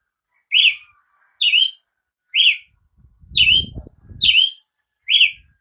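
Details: Brazilian tanager uttering six slurred chip notes close together, while a low rumbling rustle runs under the middle of the sequence.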